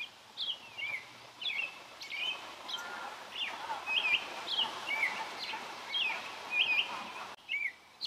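An American robin sings short, clear, slurred whistled phrases, rising and falling, about one each second over a steady outdoor hiss.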